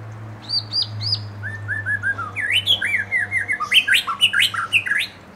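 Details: Young forest-caught white-rumped shama and juvenile, provoked to sing: bright, varied whistled phrases, some high and slurred, others lower and quickly repeated, building into a dense rich run, over a steady low hum.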